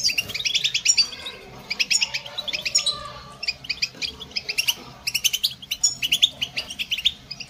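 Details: Softer goldfinch twittering, with clusters of quick high chirps and trills separated by short gaps and a faint mid-pitched note in the middle.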